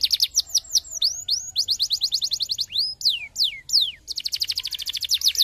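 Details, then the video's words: Canary song used to stimulate other canaries to sing: rapid rolling trills of repeated high notes, broken by sweeping descending whistles near the middle, then a fast dense trill to the end; no other sounds. "estimule rapidamente o som do canary jam"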